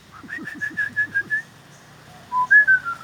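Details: Common hill mynas sitting on a wall behind an old temple in Chiang Mai, Thailand, birds known to mimic greetings: a quick run of clear whistled notes, then a pause and two brighter whistles, with soft clicks below.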